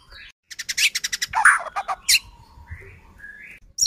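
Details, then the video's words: Lure recording of a White-rumped shama singing to provoke rivals: a fast series of sharp, dry clicking notes, a harsh buzzy burst, then a few thin whistled slurs before a final abrupt note. "Murai batu gacor AMPUH buat PANCINGAN murai batu agar bunyi JADIKAN burung murai EMOSI"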